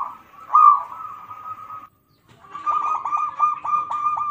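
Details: Local zebra dove lure song: a drawn-out even coo followed after a short gap by a rippling series of quick pulsed coos.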